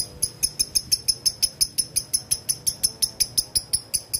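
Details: Male lovebird calling a rival in the ngetik style: a steady run of bright, high ticks, about three a second, with faint low background hum.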